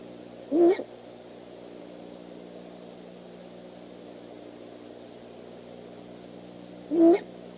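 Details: Late at night on 25 January 2015, great horned owls call back and forth at the Decorah eagle nest. Two short, raspy, wavering notes are heard about six seconds apart over steady low background hum.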